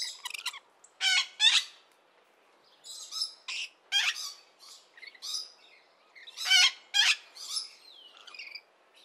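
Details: A busy burst of rainbow lorikeet calling, with rapid overlapping screeches and squawks tumbling over one another, harsh and shrill, several callers chattering almost nonstop.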